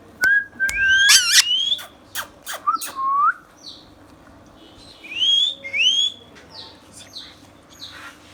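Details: Indian ringneck parrot kept as a pet, producing a varied run of pure whistles, sharp upsweeps and rising slurred notes, punctuated by clicks, in a quiet room with a faint low hum.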